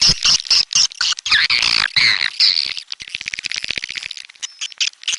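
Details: High, loud swiftlet twitters and squeaky slurred notes at first, then softer, rapid clicking chirps that trail off toward the end.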